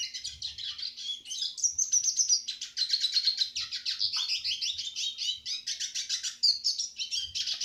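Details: Eurasian siskin song used as a tutor for other birds: fast, continuous high twittering of rapid chirps and buzzy trills, with a few sweeping notes. Faint low thumps sound now and then.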